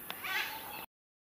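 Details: Malabar grey hornbill calling its mate: one short, harsh, nasal squeal with layered overtones that swells briefly and stops abruptly after under a second, with a faint click just before it.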